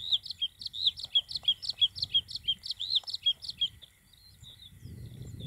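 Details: Bluethroat singing in June 2021: a fast run of about fifteen bright, clipped notes, repeated rapidly and evenly for nearly four seconds, then a pause with low rumbling background noise.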